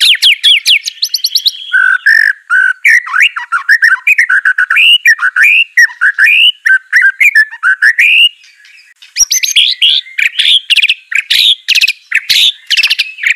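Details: White-rumped shama, caged and in training to sing, gives a long energetic song of quick whistled notes, chattering trills and harsh buzzy bursts, with a brief pause midway.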